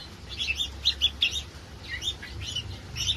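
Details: Red-whiskered bulbul, a hybrid competition line, singing: short bright warbled phrases of quick chirpy notes, clustered at 0.4–1.4 seconds and again near 2.0–2.5 and 3.0 seconds, over a steady low hum.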